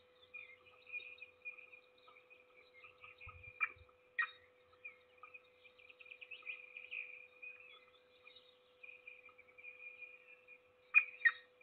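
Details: Peregrine falcon at its nest in Trzebież Forest District, Poland, 7 May 2022, feeding a single chick; continuous twittering high chirps, several louder harsh bursts, a soft low thump and a constant electrical hum.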